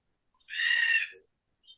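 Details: A single harsh, grating, rolling call from an endangered, rapidly declining forest red-tailed black cockatoo of Nyungar country, lasting under a second, followed by a brief faint high note.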